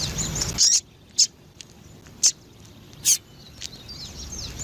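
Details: Captive female double-collared seedeater calling to excite males, with four quick high thin chirps spread across a few seconds after an opening burst of noise.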